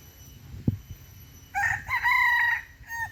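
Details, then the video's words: Rooster seen with a hen in Singapore Botanic Gardens, finally crowing: after a soft thump, a strong multi-part cock-a-doodle-doo with a rising start, long level middle and brief falling end, against quiet garden hum. "Quería escucharlo cantar, pero se resiste, no canta. Y ya cantó."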